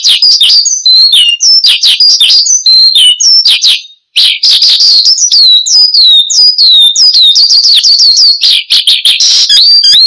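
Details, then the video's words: Australasian bushlark (branjangan), singing vigorously ('gacor'), used as lure and tutor sound for cage birds; dense, loud, high chirps and rising whistled notes run almost nonstop, with one short pause near four seconds. "Kicau Burung BRANJANGAN Gacor, Untuk Pancingan Dan Masteran"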